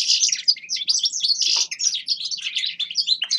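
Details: A grey-crowned goldfinch pours out rapid, liquid twitters and short downslurred whistles mixed with buzzy chirps in a lively, continuous phrase.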